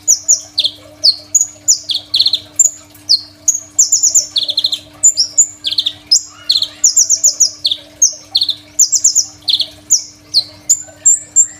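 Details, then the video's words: Crimson sunbird singing, recorded on a phone and used as a master song for training other songbirds. Rapid, high, thin chirps and downslurred notes run in dense bursts, with a faint steady hum underneath. "KOLIBRI NINJA GACOR FULL ISIAN SUPER MEWAH, 100% COCOK BUAT MASTERAN KONIN BAHAN"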